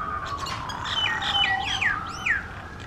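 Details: Common myna pair calling back and forth in Herzliya, March 2020: loud, varied whistles of quick downward-slurred notes over a steady falling tone, repeated several times within three seconds.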